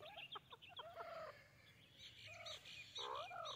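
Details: White teetar, a white francolin, calling with loud harmonic, slightly rising notes, first in quick short bursts and then longer drawn notes, with thin chirps of other birds above.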